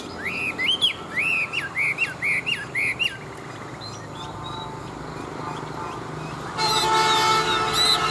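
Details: Chinese hwamei, a large forest-caught fighting bird, repeats a rising, looping whistled phrase about five times in quick succession, then goes quieter before a burst of broad noise.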